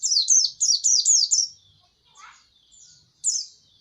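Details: Fast series of high, falling chirps from a white-eye, then a brief softer lower sound and quiet notes before another sharp chirp.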